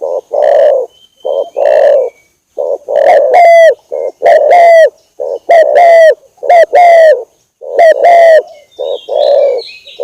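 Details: Spotted dove lure call from Indonesia: a dense run of low cooing phrases, each short hooted notes followed by a drawn-out, falling, slightly rough coo, repeated almost without pause, with a few faint higher chirps late on.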